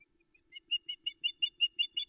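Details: Begging female Osprey at the Loch Arkaig nest, Arkaig Community Forest, dawn of 13 July 2020, after the male brings a headless trout. Loud, clear, slightly rising chirps repeat about six times a second, growing stronger.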